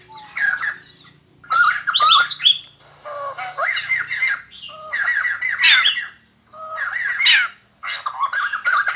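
White-crested laughingthrush giving loud, harsh, chattering bursts of song, six phrases about a second long with brief pauses between them.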